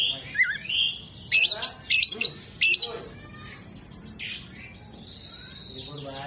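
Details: Oriental magpie-robin, tail spread, mimicking hummingbird, bearded bird and lovebird: a short wavering whistle, then a cluster of sharp, high chattering bursts, before the singing fades into quiet background hiss.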